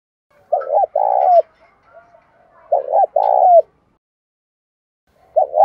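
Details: Spotted dove in captivity cooing in the 'bài bổi' style, played to spur silent doves to sing: two deep phrases about two seconds apart, a short stuttered note then a drawn-out vibrating coo, with the start of a third.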